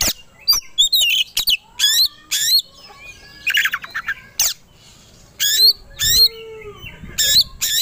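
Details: White-rumped shama goaded into aggressive, combative song: loud harsh squawking bursts alternating with high whistled phrases and a few lower slurred notes, with pauses between outbursts.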